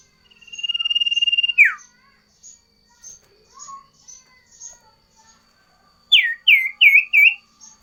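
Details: Sooty-headed bulbul singing loudly with variation: a steady buzzy trill dropping into a steep downslurred note, scattered soft chirps, then a quick burst of four bright, looping whistled notes.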